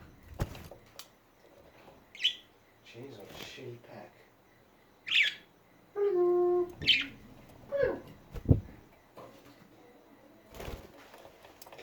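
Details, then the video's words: Budgies chattering: scattered short squawks and chirps, a drawn-out harmonic note near the middle, several sharp clicks, and quiet gaps between bursts. "Hours of chatting budgies"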